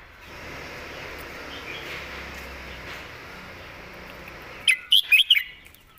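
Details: Red-whiskered bulbul in master-song style with flowing phrasing: steady hissing noise fills most of the recording, then a clear phrase of four quick, ringing notes bursts out near the end.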